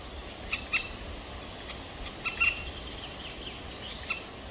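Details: Black woodpecker chicks, two of them, in their nest on the evening of 23 May 2023. Three small clusters of short, nasal, slightly squeaky calls break a soft background hiss.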